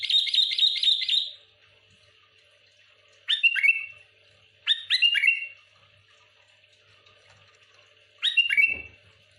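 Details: Sooty-headed bulbul provoking other bulbuls with rapid song. It opens with a fast string of about six identical bright notes, then gives three separate short bubbly whistled phrases a few seconds apart.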